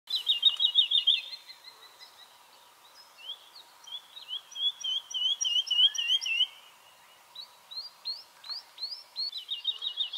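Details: Woodlark (Lullula arborea) singing in hot weather as pomegranates swell on the trees: high, liquid phrases of fast runs of repeated sweet notes alternating with warbled, slurred passages, over a faint low hum.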